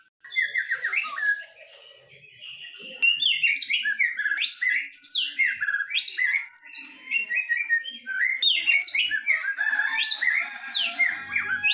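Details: Singing duel between white-rumped shamas, a bird from Medan against a wild forest bird from Nias: rich, fast song of loud whistled, sliding and chattering phrases, mostly high-pitched, tumbling over each other with brief pauses.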